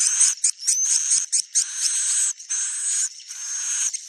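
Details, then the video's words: Swiftlet, stated to be a genuine recording: harsh buzzy high-pitched twitters in irregular bursts, overlaid by a thin steady whistle, with brief gaps between phrases. "suara walet asli"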